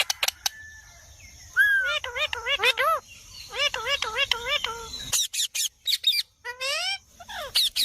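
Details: Pet Indian ringneck parakeet talking in rapid, rhythmic runs of wavering harmonic syllables, bursts of chattering, high sweeping squeaks, and a faint steady insect-like hum in the background.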